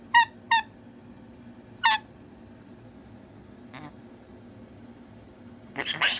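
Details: Indoor cockatoo calling for attention with a few brief squawks early on, followed by quiet and then a person starting to speak.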